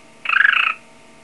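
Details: A hand-tame pet cockatiel imitates a telephone ringing with a brief, rapidly pulsed, buzzy trill, while its owner talks to it.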